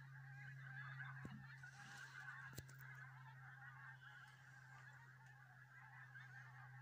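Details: Goose flock on the Solway Firth at Southerness, Dumfries, keeps up a continuous overlapping honking chorus, accompanied by a steady low mechanical hum and a couple of sharp knocks.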